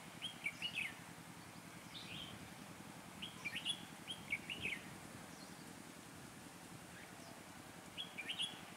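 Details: Red-whiskered bulbul used as a lure bird for trapping, still very lively in cold weather of 12–15 degrees: short, bright warbled phrases at irregular intervals, fairly faint over a steady background hiss.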